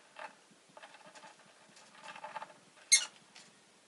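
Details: Rosy-faced lovebird chirping: one sharp, shrill, harmonic chirp near the end stands out above a run of softer, rapid clicking and scratchy chatter.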